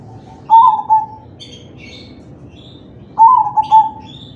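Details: Zebra dove of crossbred type giving its manggung song to encourage other doves to call; two phrases roughly three seconds apart, each a burst of quick staccato notes easing into a gently falling coo, faint chirps between.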